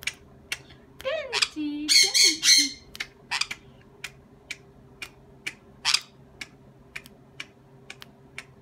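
A sun conure gives a short run of harsh, grating squawks, with a few sliding whistled notes just before. Steady clicking or tapping continues throughout over a low indoor hum.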